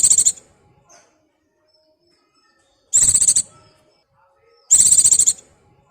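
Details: Courting white-eye in breeding condition calling to a mate, recorded as a lure: short, very high, rattling trills of quick repeated pulses, three bursts about two seconds apart, with silence between.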